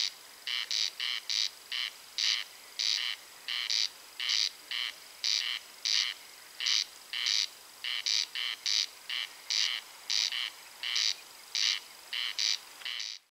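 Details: Night-time song of two nearby corncrakes near Spała in May: loud, scraping crex-crex rasps in quick pairs, repeated continuously with the two birds interleaving.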